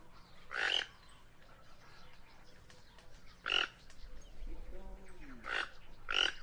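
Guianan toucanet giving four harsh, rasping croaks, spaced two to three seconds apart, with the last two closer together; a faint low warbling sound plays between them.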